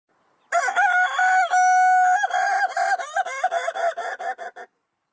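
A chicken gives a loud, harmonic, crowing call with a long held note, then breaks into choppy, clucking fragments over about four seconds.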